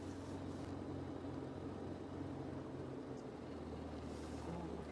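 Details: A vehicle engine idles with a low, even hum and faint background murmur, and no animal calls stand out.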